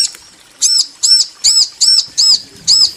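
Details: Female and male bar-winged prinias answering each other with loud, ringing arched chirps, evenly spaced about every half second, after a brief quiet opening.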